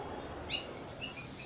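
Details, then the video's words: Bare-throated Bellbird recorded in Brazil, giving two short, ringing metallic notes about half a second apart, each high and bell-like over a soft, steady background hiss. "that sound is from a Bare-throated Bellbird."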